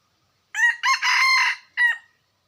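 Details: A single crow of a red junglefowl from 2021. A brief first syllable and a quick second lead into a long, steady, strident note, then a short falling end note, all clean with no other sounds.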